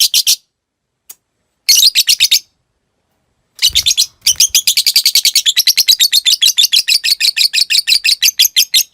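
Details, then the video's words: Lovebird used as a master for caged birds: short bursts of shrill chatter separated by silences, then a long ngekek trill of fast, evenly spaced piercing notes running on for several seconds. "Masteran Suara Burung Lovebrid Ngetik Ngekek Panjang"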